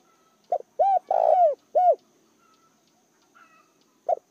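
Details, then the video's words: Spotted dove decoy calling to attract wild doves: one full low cooing phrase of a short note, a coo, a long burry coo and a closing coo, then a soft distant whistle and the first note of the next phrase. "Chim cu gáy gọi hay kích bổi chuẩn chim cu gáy mồi"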